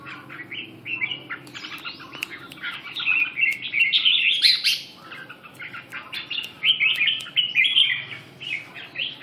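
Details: Freshly woken red-whiskered bulbul pours out a continuous, busy warble of chirps and whistles, swelling louder in the middle, over faint low-frequency noise.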